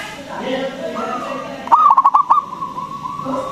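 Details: Zebra dove of local stock, a strong singer used as a lure to rouse other doves. One rapid stuttered burst of cooing notes rises over softer background cooing.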